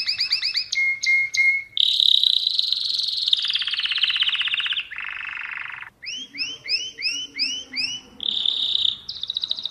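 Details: Mosaic canary singing a varied song: rapid repeated upswept notes, a trilled rolling phrase sliding downward, a buzzy low roll, then bouncing looped whistles and bright high trills.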